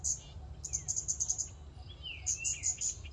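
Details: Scarlet-backed flowerpecker in a public park giving piercing, high ticking calls in two fast bursts, while softer downslurred whistles from another bird sit lower, over a low-pitched rumble.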